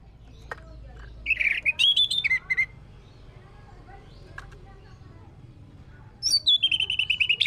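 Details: Orange-headed thrush song played as a lure to prompt singing: two bursts of loud whistled and warbled notes, the first mid-pitched with rapid ups and downs, the second starting high and stepping down into a run of repeated notes.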